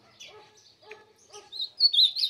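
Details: Ultramarine grosbeak, described as fiery and singing: soft low voiced notes first, then loud high warbled phrases near the end, sliding and slightly buzzy.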